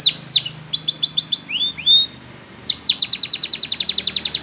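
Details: Canary training song, Belgian type, for young birds: fast dropping swoops, a quick stuttering series, two falling slurs, level whistles, then a long, bright, evenly repeated trill.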